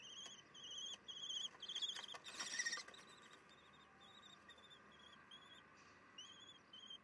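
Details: Young common kestrel returning to the nest for a snack on 24 June 2021 at 10:56, from a nest stream; series of short, ringing, slightly rasping notes repeated about twice a second, with a brief burst of scraping and fluttering midway.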